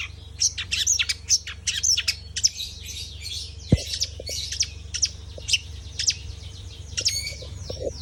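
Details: Long-tailed shrike pouring out quick, high chirps and twittering trills in rapid sequence, with a single loud click midway and a low hum underneath.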